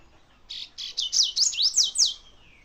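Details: Double-collared seedeater song: a fast run of about seven bright, high notes, the first ones flat and buzzy, the later ones swept downward in quick slurs, closing with a thin falling trail, against a quiet background.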